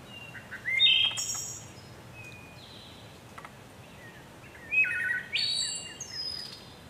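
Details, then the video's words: Two flute-like phrases from a wood thrush about four seconds apart, each made of mellow whistled notes rising to a tinkling high trill, with faint distant chirps and steady outdoor hiss between them. "Wood Thrush Bird Beautiful Sing"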